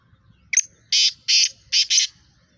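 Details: Fast-calling Pakistani Kala Teetar, or black francolin, in 'chakri wala' style. A thin sharp lead note is followed by two rasping bursts, a pause, and two more tightly paired grating bursts.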